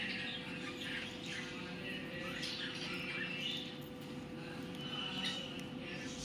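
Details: Talking pet rose-ringed parakeet gives continuous rough, buzzy chatter and squawky phrases, rising and falling, with brief higher chirps near the end over a constant low hum.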